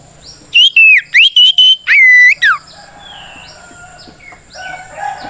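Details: An oriental magpie-robin's 'ngeplong' fighting song, used to make rivals answer: about seven loud whistled notes in under two seconds, one long steady tone, then quiet chirps in the background.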